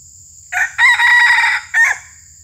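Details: Red junglefowl crowing as a lure to trap wild males: a rough opening note, a longer sustained harmonic middle section, then a short clipped final note, about one and a half seconds in all, over a steady high insect hiss.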